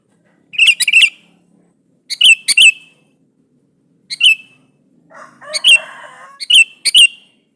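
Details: Sooty-headed bulbul singing to call a rival and provoke an answer: short clusters of bubbly, liquid notes, two or three quick phrases separated by pauses of about a second, in a quiet setting.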